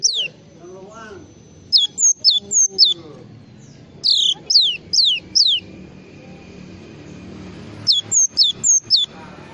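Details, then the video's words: Java sparrow full filler song heard in scattered bursts of quick, high falling notes in groups of four or five, separated by quieter stretches with a faint steady tone and low background noise. "SUARA BURUNG GLATIK FULL ISIAN"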